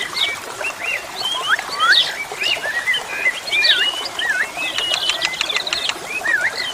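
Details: Jalak suren singing busy, twisting whistles and hooked chirps, ending in a dry, clicking rattle, with flowing water audible throughout.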